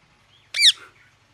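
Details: A single loud, raspy parrot squawk, a short harmonic burst sweeping downward and trailing off into a softer tail. A faint whistle comes before it.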